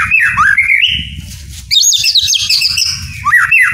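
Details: Captive white-rumped shama song, used to coax lazy birds into singing: loud, varied whistled phrases with quick rising and falling slurs and sharp high notes in bursts, over a steady low background of music.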